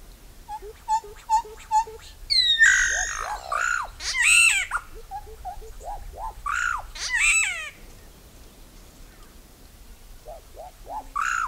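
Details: Solitary black cacique (bauá) in an extended varied sequence: soft repeated clicks and low notes, loud harmonic whistles sliding downward, arched notes in runs, and rich squawking phrases with pauses between.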